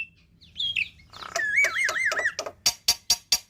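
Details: Black-winged myna tutor recording, full 'isian tembakan' fill for young birds to imitate: soft opening notes, then a wavering whistled phrase rising and falling several times, followed by four loud evenly spaced clicks.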